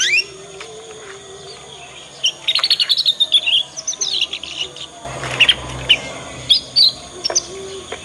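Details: Young (paud) Yorkshire canary learning its song, used as a tutor recording for other canaries, sings in quick bursts of high chirps and trills, some notes rapidly repeated, with a faint steady hum underneath.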